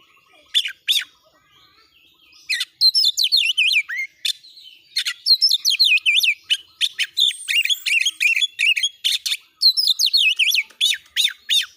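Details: ['Kacer, the oriental magpie-robin, delivers a long, insistent training song aimed at making other birds join in and fight: a few scattered sharp notes, then near-continuous rushing strings of high, looping whistles and chatter.']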